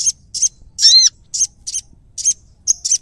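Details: Prinia giving short, very high, sharp chirps in quick bursts, about seven in three seconds, with one longer arched double note near the middle; quiet background with no other clear sounds.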